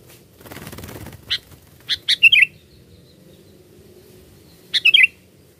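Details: Sooty-headed bulbul song played as a lure for catching birds: short bubbly whistled phrases of a few quick liquid notes, one group around the second second and another near the fifth, over a soft low rumble.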